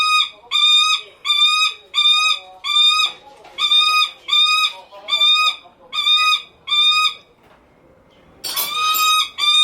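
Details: A captive Lanner falcon (Falco biarmicus) at a bird park gives about ten harsh, strident rasping calls, each roughly half a second long, then a louder final burst. It keeps calling to get attention from its male keeper.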